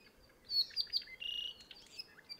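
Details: An Apapane in Hawaii Island rain forest sings a quick jumble of high chirps, buzzy notes and a short clear whistle, with light background hiss.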